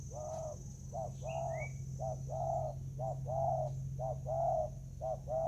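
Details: Spotted dove in Vietnam, 24 July 2019, squabbling over food: loud, close, rhythmic low coos, short and longer notes alternating about once a second, with a brief rising chirp from another bird and a faint background hum.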